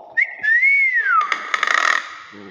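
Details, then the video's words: Tame Nias hill myna gives a loud, clear whistle that rises slightly and then slides down, followed by a harsh, grating rasp. "BURUNG BEO NIAS SUARA ASLI"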